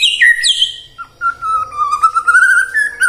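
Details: White-rumped shama singing as a prompt for morning, midday and afternoon song: loud descending slurred notes, then a long wavering whistle that slowly climbs, ending in short high chips.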